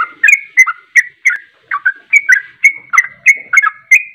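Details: Ropelan song of a sooty-headed bulbul, used to provoke birds into joining the fast song. Brisk chain of liquid, slurred whistles, three or four per second, alternating higher and lower notes.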